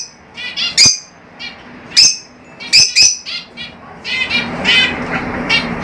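Lovebirds chatter in sharp, high squeaky chirps and harsh screeches, in quick bursts of two or three, ending in a rapid run of overlapping chatter.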